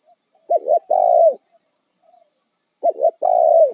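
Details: Spotted dove, a wild bird used as a decoy for trapping, calling twice: each phrase is a quick two-part coo followed by one long, smooth, slightly falling coo, with silence between.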